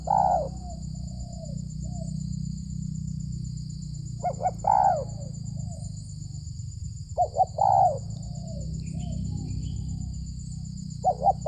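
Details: Wild spotted dove with a big voice, behind village houses, cooing at a luring ground. Loud clipped coo phrases repeat about every three seconds over a low rumbling background and a constant high whine.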